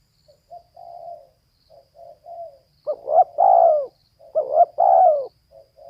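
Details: Soft, quiet coos from a female spotted dove build into two loud phrases, each a stuttered double note and a long falling coo, ending with a faint short coo.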